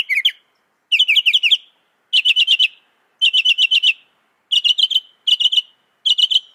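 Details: Northern mockingbird song of fast trilled phrases, each a burst of several rapid notes, repeated about every second with short pauses between.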